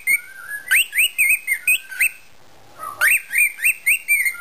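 A cockatiel whistles a quick run of bright, rising notes, pauses, then repeats the phrase.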